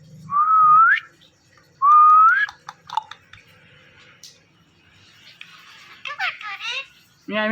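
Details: Indian ringneck parrot calling "Mithu": two clean whistled phrases, each rising at its end and about a second and a half apart, followed by faint clicks and a brief rasp.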